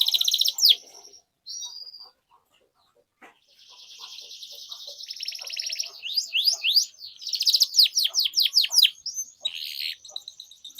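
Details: Canary song used as a lure for young canaries: a high sweep and short notes, a gap, then a buzzy trill building into quick repeated falling notes, with faint low ticks.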